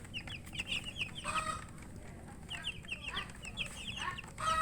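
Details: Feeding chicken chicks give clustered high peeps in short bursts, with some lower, softer notes mixed in among faint clicks.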